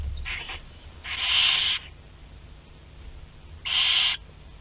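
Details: Barn owl chicks aged 2 to 12 days at a shared meal in Théding on 29 April 2021, giving harsh, hoarse hissing screeches: a short one, a longer one lasting over half a second, then another after a two-second pause.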